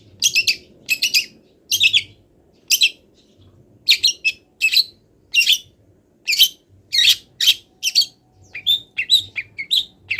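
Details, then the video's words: Long-tailed shrike in moult sings a wild-bird mimicry training song: sharp, rasping notes spaced irregularly at first, then closer together, ending in higher thin squeaks, over a faint low hum. "MASTERAN CENDET FULL ISIAN BURUNG LIAR"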